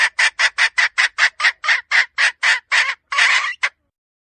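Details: Domestic hen calling, 2023: a quick run of about fourteen harsh, nasal clucks, evenly spaced and speeding slightly, ending in a longer drawn squawk and one final short note. No other sounds.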